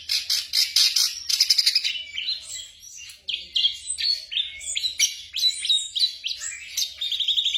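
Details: Black drongo song for training caged birds at night: opens with rapid, buzzy pulsed bursts, then shifts into varied sharp chirps, slurred whistles and quick clicking trills, repeated several times a second.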